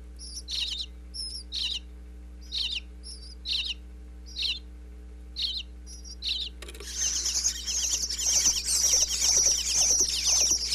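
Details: Bluebird nestlings in a Pennsylvania birdhouse, wireless microphone inside, calling as parents bring food: spaced single high chirps about every half second, then, after six seconds, a sudden loud, dense chorus of scratchy overlapping chirps.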